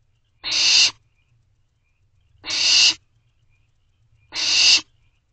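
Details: Nighttime food-begging by barn owl owlets inside a nest box (Box C), 24 May 2023, 11:48 pm; three rasping hiss-screeches roughly two seconds apart, near-silence between them.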